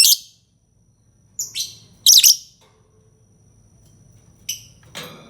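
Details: Lovebird giving sharp high chirps and harsh squawky bursts in clusters, with a gap of quiet in between and a low background hum.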